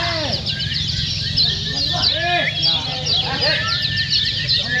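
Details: Lombok Lemon-bellied white-eyes in a competition-style lure recording chatter continuously in a high, rapid twittering stream, while lower slurred notes from other birds break in now and then.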